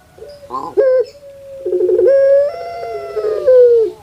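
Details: Captive puter pelung dove from Java, Indonesia, voice said to sound like a crying baby: brief stuttering notes, a level tone, then a long rattling coo rising in steps and falling away.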